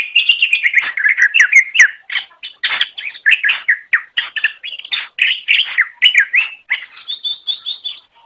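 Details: Continuous, lively greater green leafbird song meant for tutoring caged songbirds, a rapid stream of varied chirps, slurred whistles and downward sweeps with barely a break, ending in a run of short high notes.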